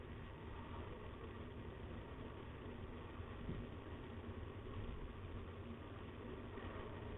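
Steady low rumble of an idling engine fills the whole recording, with no animal sound heard.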